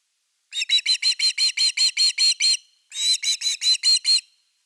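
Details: Evening at an osprey nest, 30 August 2021, fish brought in: two fast bursts of piercing whistled chirps, about ten notes then six, separated by a short pause.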